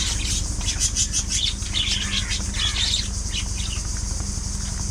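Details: Several pet budgerigars playing, squabbling and grooming one another give a run of quick, high twittering chirps that is densest in the middle, backed by a constant low droning hum.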